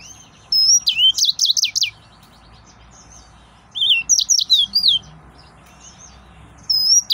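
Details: Excited male yellow-fronted canary singing high, bright bursts: rapid trills of looping whistled notes, each burst about a second long, repeated three times with short pauses between them; faint softer chirps in the background.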